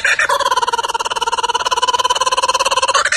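A laughing kookaburra gives a fast, rolling cackle of harsh, evenly spaced notes for about three seconds, swelling slightly at the end.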